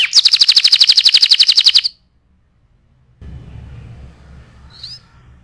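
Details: Canary singing as tutor material for other birds: a loud, rapid, steady high trill lasting nearly two seconds, then silence, faint background hiss and one brief high chirp.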